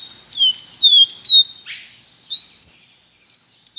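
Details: A white Pearly-bellied Seedeater (Sporophila pileata) sings a quick string of about seven high, thin, down-slurred whistles over three seconds, with a few brief buzzy notes mixed in.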